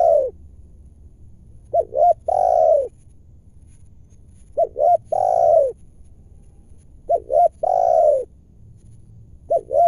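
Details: Big-voiced wild spotted dove answering during lure trapping in its native ground, repeating a three-part coo about every two and a half seconds: two quick hoots, then a drawn-out, rolling, falling note; four phrases in quiet surroundings.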